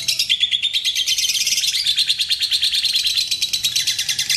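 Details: Lovebird giving its long 'ngekek' trill, used as a lure to trigger other lovebirds to sing: a continuous, rapid, high-pitched chattering trill of fast repeated notes, unbroken for the whole stretch.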